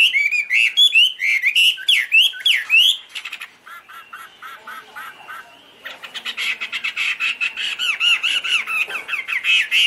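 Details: Chinese hwamei (Garrulax canorus) singing high and pure while waving its open wings and tail: a rapid run of loud whistled notes sweeping up and down, a quieter pause with softer notes, then fast repeated looping whistles.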